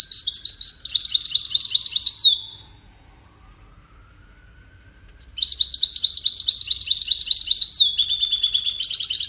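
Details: Goldfinch singing for courtship and communication: two dense bursts of rapid, tinkling, high twittered notes, the first lasting about two seconds, then a pause of nearly three seconds before a longer, richer run of liquid trills.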